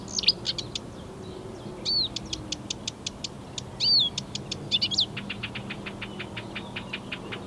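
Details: Marsh warbler song recorded 15 May 2020, a potpourri of mimicked European and African birds: rapid clicking series broken by clear whistled downslurs and short rising phrases, ending in a long even train of ticks; faint low hum beneath.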